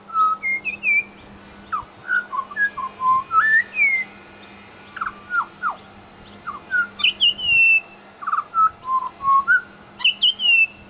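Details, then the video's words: Pied butcherbird imitating other birds at a bird sanctuary: a varied stream of loud whistles, rising and falling slurs, quick dropping notes and bursts of high twittering chips, with a steady low hum behind. "Amazing mimicry by Pied Butcherbird"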